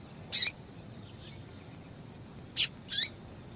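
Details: Calling female yellow-bellied seedeater, whose persistent calls are meant to warm up males into singing. Sharp high chips open and close the passage, with softer faint notes between, over steady low hiss.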